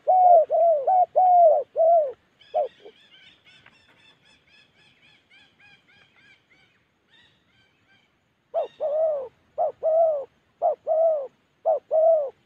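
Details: Spotted dove in Gia Lai, Central Highlands forest, singing in the Đồng Ngực Chẻ style: runs of arched, hollow coos and short notes, broken mid-way by a higher, thinner series of repeated harmonic notes before the cooing resumes steadily.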